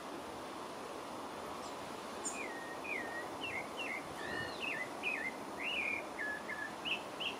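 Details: Pale-breasted thrush singing in French Guiana: after two seconds of steady background hiss, a run of short whistled phrases starts, fluty, with slurred rises and falls, delivered in quick succession over constant noise.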